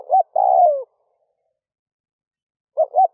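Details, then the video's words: A captive decoy spotted dove coos at dawn to attract wild doves. A quick hoot runs into a long, gently falling coo, and after a silent gap a pair of short low notes begins the next phrase. "Tiếng chim cu gáy rút bổi nhanh về - kích bổi nhanh nổi"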